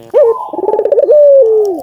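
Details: Barbary dove, an albino bird singing strongly, with a song used to prompt other doves to call: a quick pulsed trill run into a long, slightly falling cooing note that ends in a downward slide.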